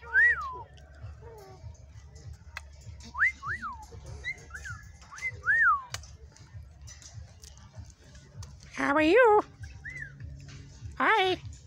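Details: A pair of cockatoos at an animal wildlife refuge, singing, talking and whistling: short rising-and-falling whistles repeated through the first half, then two louder harsh, buzzy calls rich in overtones near the end, over a low steady rumble.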